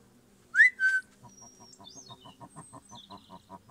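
Silver pheasant: two loud, rising whistled notes, then a rapid run of soft, low clucks about four per second, with faint thin high squeaks behind.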